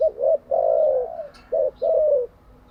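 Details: Captive spotted dove, a decoy bird for training other doves, cooing a quick short note then a long sliding coo, repeated twice, clear and close with a quiet background.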